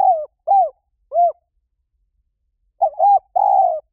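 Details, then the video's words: Lure call of a spotted dove: three short, rounded coos, then a gap of about a second and a half and a burst of quavering coos ending in one long, falling coo. Clean, still background. "เสียงนกเขาใหญ่ หมานๆ ต่อเข้าเร็ว ป่าไหนก็เข้า"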